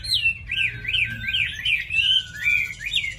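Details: Chinese hwamei, a tame cage bird said to sing well and eagerly, gives a rolling string of rich whistles, each note swooping up and down, repeated in quick succession.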